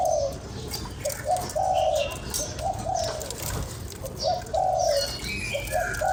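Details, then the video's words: Spotted dove calls meant to rouse a decoy bird: several quick low coo phrases, each a brief note leading into a longer buzzy coo, with light bird chirping and rustle in the background. "Cu gáy kích bổi"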